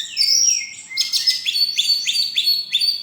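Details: Oriental magpie-robin singing at a bird song festival and contest, where it took first place, 26 November 2023; bright high notes, rapid downward-sweeping whistles repeated in quick succession with sharp rising flicks, no other clear sounds.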